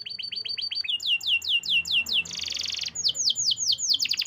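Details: Canary singing fast: rapid falling whistled notes, a dense buzzy burst, then more sweeping high notes ending in a sharp descending slur; low hum in the background.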